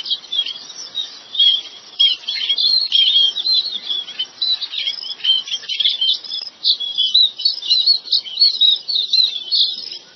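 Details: Rice-field chestnut munias chattering: many high, squeaky chirps tumbling over one another in a steady stream, louder clusters every second or so, with nothing else clearly audible.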